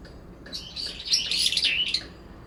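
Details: Two brown-eared bulbuls contest a cherry-tree territory in late September. One rough, shrill, wavering outburst lasting over a second, with faint notes just before it.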